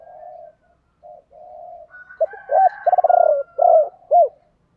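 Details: Spotted dove calls for training captive birds to coo: soft low hums at first, then louder rolling, pulsed coos and two rounded notes near the end, a faint whistle above them.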